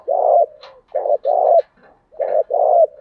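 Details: Decoy spotted dove calling to goad wild rival birds. Deep hoarse coos in pairs, a short coo then a longer one, repeated three times with faint scratchy noises in the gaps.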